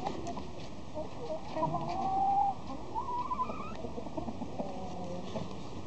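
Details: Gold Wyandotte chicks from a 2020 hatch give thin peeping calls, a few drawn-out, slightly rising whistles around the middle of the clip, heard over a constant low rumbling background noise.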